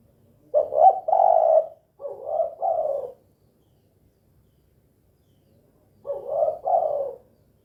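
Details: Spotted dove (tekukur) calling in the 'kuk 2' style, vigorous and persistent: low hoarse coos grouped in doubled notes, two pairs in quick succession, then a pause of about three seconds before another double coo.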